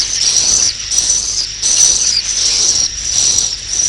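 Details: Swiftlet roosting call used to attract swiftlets to roost: high, buzzy chirping twitters repeated in pulses about every second, over a dense constant hiss.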